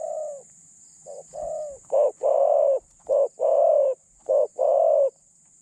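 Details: Spotted dove used as a decoy to catch other doves, with a medium-pitched voice and a light cooing style; a run of low coos growing louder into firm pairs of a brief hoot and a longer steady coo.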